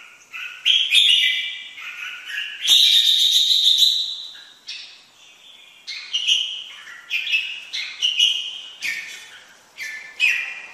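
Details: Lively red-whiskered bulbul song, with clear chirpy whistled phrases, one longer sustained bright note near the middle, then a run of short warbling bursts spaced a second or so apart.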